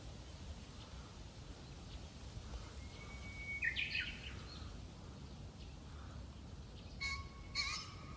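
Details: Japanese bush warbler that has just begun singing at a waterside park on a morning of very strong west wind: a drawn-out steady whistle ending in a quick flourish, repeated a few seconds later, faint against constant wind roar.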